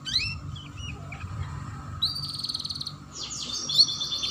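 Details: Canary chirping in the ngeriwik style, played as a lure to get young canaries singing: thin high tweets, then a buzzy trilled stretch and fast downslurred notes, over a steady low hum.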